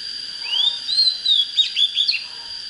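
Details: Oriental magpie-robin singing well to rouse birds for fighting; smooth rising and falling whistles followed by a few sharp quick chirps, clear and musical over a faint constant high tone.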